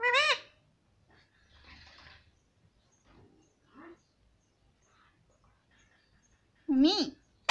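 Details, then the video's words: A talking pet ringneck parrot, said to say 'mummy', gives a loud wavering harmonic call, then quiet chatter and a soft low note. Another loud bent call follows near the end. "Cute Ringneck Parrot Talking Mummy"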